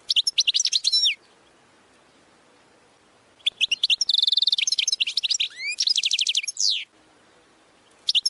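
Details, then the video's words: European goldfinch (Carduelis carduelis) song in three bursts: quick twittering phrases with slurred whistles, a longer middle phrase containing a buzzy wheezing trill and a series of rising-falling notes, separated by pauses of about two seconds. "goldfinch singing"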